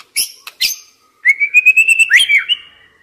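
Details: White-rumped shama lure song meant to set stressed young wild birds singing: a few sharp clicks, then a run of clear whistled notes rising gradually and closing with a swooping slurred flourish.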